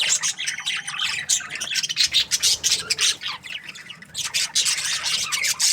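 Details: Morning budgie chatter in uneven bursts, with sharp high chirps and squawks rising and fading in quick pulses, plus short quieter gaps between.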